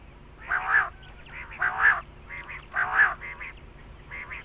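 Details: Quail calling as used in quail hunting: three loud, rasping double-noted bursts about a second apart, each followed by a softer echo-like note, in a quiet background.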